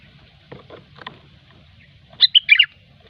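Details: Sooty-headed bulbul, gecor-style song for pikat luring: soft clicks and knocks early on, then one bright, rapid phrase of four liquid whistled notes near the end.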